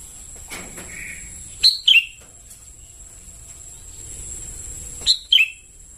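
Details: Sooty-headed bulbul chicks calling as a lure sound: two groups of three sharp, falling chirps about three seconds apart, with faint softer notes and a thin continuous high whine.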